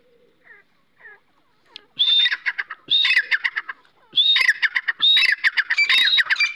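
Grey francolin: a few soft notes, then loud, harsh, shrill phrases repeated in quick bursts, growing more insistent.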